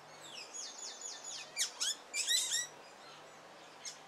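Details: Male Carib grackle courting his mate with song: a series of repeated descending whistled slurs, then loud rasping high bursts and squeaky notes, a faint low hum in the background.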